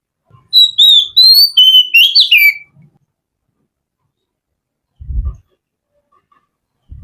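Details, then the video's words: Oriental magpie-robin (kacer) singing a relaxed song: a quick run of clear, sliding whistles, rising and falling notes about two seconds long, followed by silence broken by a few soft low thumps. "Kicauan Kacer Santai"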